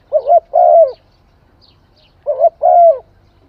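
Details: Spotted dove from Cambodia, called a Khmer dove, giving two mellow coo phrases. Each is a brief wavering double note leading into a longer smooth coo, separated by a pause of over a second, with near silence between.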